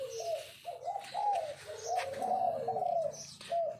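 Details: Spotted dove kept as a trapping decoy, calling from its perch stand: a run of low, bubbling, wavering coos in quick succession, with faint higher chirps from other birds behind.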